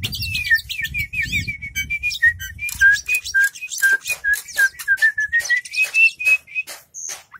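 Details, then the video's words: Oriental magpie-robin from a collection, opening its tail while singing: fast, high chirps that settle into a steady string of short, clear whistles, some falling and some rising, with low rumbling noise early on. "burung kacer super buka ekor"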